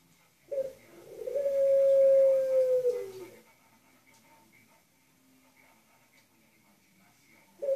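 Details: Dove in an indoor setting giving one long, steady, hollow coo that lasts about two and a half seconds, then falls silent, with another coo just beginning at the end.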